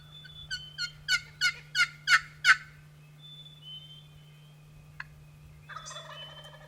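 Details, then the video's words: Wild turkey gobbling on an April early morning during a spring hunt: a rapid rattling burst of about seven harsh pulses over two seconds, growing louder, followed by quiet, a sharp click and faint birdsong in the background. "I know a few sounds that elicit more excitement than the early morning gobble of a wild turkey let's listen in on an April morning"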